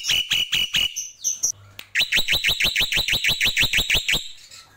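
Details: Black-winged myna (jalak pito) performing a tembakan. A few chattering notes and a whistle come first. Then about sixteen strong, rising, rasping notes are repeated rapidly and steadily for over two seconds.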